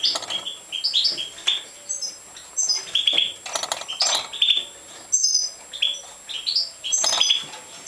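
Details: European goldfinch of the Major type being fed, giving busy begging: rapid high chirps and squeaky whistled notes in pulsing bursts about every half second, with wing flutters.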